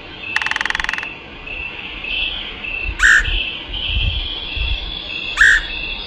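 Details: Woodpecker call played as a lure: a fast dry rattle lasting over half a second, then two loud harsh rasping notes about two seconds apart, with a steady whistled tone and low rumbling underneath.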